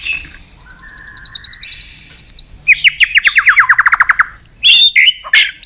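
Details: White-rumped shama giving tach notes and flicking its tail to rouse another shama for song contests: a long rapid trill of repeated high notes, then a second fast descending trill, ending with a few loud whistled chips.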